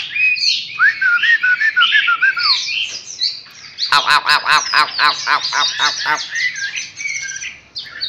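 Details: Chinese hwamei, a newly wild-caught bird filmed up close, singing a loud varied phrase: slurred whistled notes wavering up and down, then a rapid run of sharp, rattling repeated notes, and bright high whistles to finish.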